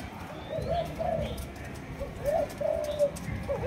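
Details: Young spotted dove of the Malaysian 'chiêu gù chạy' coo line, aged two months and kept in captivity, uttering short soft rounded coos in small groups against low background hum.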